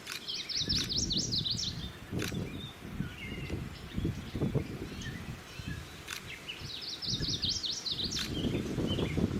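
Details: Male chestnut-sided warbler (Setophaga pensylvanica) singing in summer at a sanctuary where the species nests, probably still searching for a female: two bright, high, run-together phrases about six seconds apart over steady low wind or rustle.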